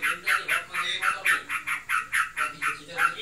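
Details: Sooty-headed bulbul kept at home, described as in breeding condition and chattering hard: a continuous run of coarse, buzzy notes about four a second.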